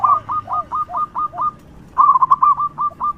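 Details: Local zebra dove calling as a decoy for other doves: evenly paced clipped coos paired with lower arching notes, a brief pause, then a quicker, louder cooing run.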